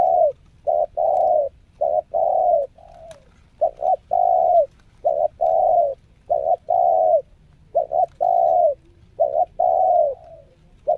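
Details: Newly acquired spotted dove training as a decoy, showing its nekan nguku, selang nguku and Meratus nguku styles. Continuous deep cooing: brief clipped notes alternating with drawn-out level coos, phrase after phrase, almost without pause.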